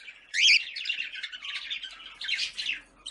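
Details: Budgerigars in a breeding colony, kept in captivity: dense, continuous warbling chatter of many birds, with squeaky, scratchy notes and a loud harsh squawk near the start.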